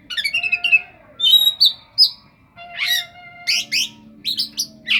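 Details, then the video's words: Oriental magpie-robin singing a song filled with imitations of a cetdet bird, with high, sharp chirps and clear whistled notes in quick, irregular bursts. A faint low hum runs underneath. "kacer raja salam"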